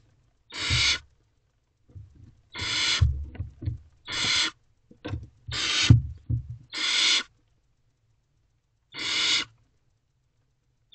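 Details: Barn owlet in a nest box just after midnight swallowing a mouse as siblings look on; six rasping hissing screeches, each about half a second, spaced irregularly, with low shuffling sounds between them.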